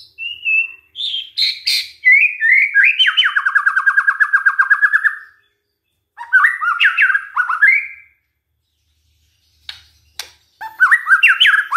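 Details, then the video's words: White-rumped shama lure song for tempting other shamas to sing: varied whistles leading into a long, fast, evenly pulsed trill, then further rich warbling phrases after a pause, with a few sharp clicks. "DICOBA PANCINGAN MURAI INI, pasti murai tak tahan diam"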